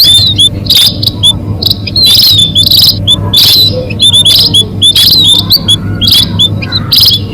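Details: Munia calls played to lure birds for catching. High, thin, slightly bent peeps are repeated in irregular groups, broken by harsh crackling bursts, over a continuous low electrical-sounding hum.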